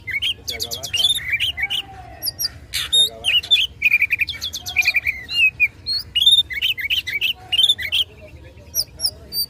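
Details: Fighting song of an Oriental magpie-robin provoking rivals, a dense run of whistled slurs, clipped chips and fast stuttering trills delivered almost without pause; faint low sounds in the background.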